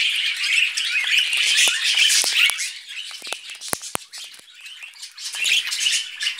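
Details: A busy flock of budgerigars eating vegetables, dense buzzy chattering throughout with several sharp clicks and taps, louder at first and then easing slightly.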